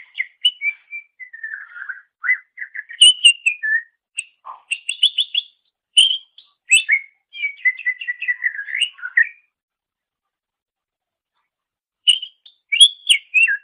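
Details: Greater green leafbird singing on a training master recording: long, varied medley of falling whistles, rapid repeated chirps, buzzy trill bursts and slurred phrases, a brief pause, then more bright notes, no other sounds.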